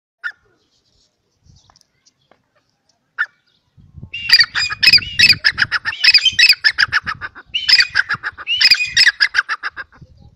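Grey partridge: two short squeaks, then a long run of harsh, creaky rasping notes in fast chattering bursts, with faint low rustling underneath.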